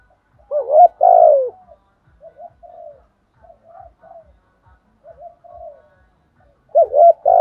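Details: Cooing of spotted doves calling the flock, male and female, used to excite decoy males. Loud rough hollow coos open and close the clip, with soft, distant-sounding level coos repeated in between.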